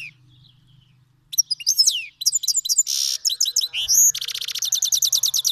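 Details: Iranian goldfinch, a Himalayan and black-headed cross from Fars, Iran, singing for training young birds: after a quiet low hum, varied twitters, a buzzy note and a rising whistle lead into a long fast series of repeated metallic chirps.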